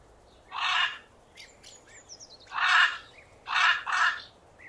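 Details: Parrot squawking: harsh grating calls in a loose series, with a thin descending whistle and soft chatter in the pauses between them; recording presented in 8D audio.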